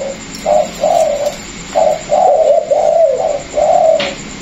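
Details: Low, mellow cooing from a caged Vietnamese spotted dove, one of a pair with a former decoy and a new wild-caught bird; a run of short coo notes in quick succession, ending with a sharp click.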